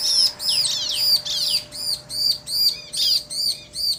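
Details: Bar-winged prinias, a male and a female, trading song. A clear, evenly spaced run of piercing arched notes repeats roughly twice a second, loud and clean.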